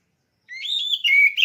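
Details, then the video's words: Contest-ready caged oriental magpie-robin giving one rich whistled phrase: a rising warble that levels off, then a steady clear note ending in a sharp upward flick. "Suara Burung Kacer Siap Gantang"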